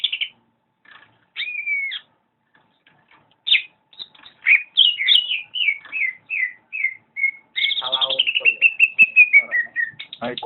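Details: Greater green leafbird singing energetically. Scattered whistles lead into a steady string of clear, down-slurred notes, then a rapid rattling trill that descends gradually, with some harsher notes at the close.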